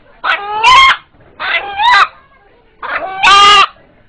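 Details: An eight-month-old pet rooster in Kaliyali village, whose frightened call is likened to "Allah Allah", gives three hoarse, two-part calls, each rising into a louder, ringing second note, about a second and a half apart.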